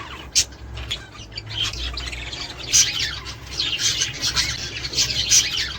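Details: Budgerigar warbling meant to encourage mating and egg-laying: softer start with scattered sharp chirps, building into a steady stream of twittering and squeaky notes, with low hum underneath.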